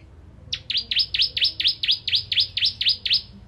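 A bar-winged prinia sings a fast run of about eleven sharp, high notes, each swooping down and back up, roughly four a second, over quiet background.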